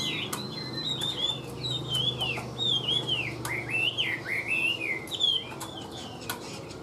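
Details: Caged Chinese hwamei, about 85% tame, singing evenly in clear whistled phrases, with repeated rising and falling slurs linked into a flowing song, along with scattered clicks and a low hum.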